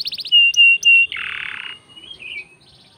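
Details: Short canary song fragment used to provoke other birds: quick high pips, pure sustained whistles, a harsh buzzy rattle, then softer twittering notes.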